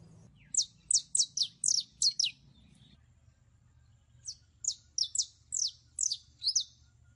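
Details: Saffron finch (canario criollo) in prelono song: two runs of about seven crisp high notes each, every note sweeping sharply downward, delivered at a fast even pace with a silent gap between the runs.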